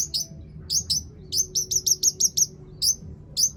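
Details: Long-tailed shrike song played as a lure for other shrikes: bursts of very high, sharp, clipped notes, several in quick even succession, with short pauses between groups.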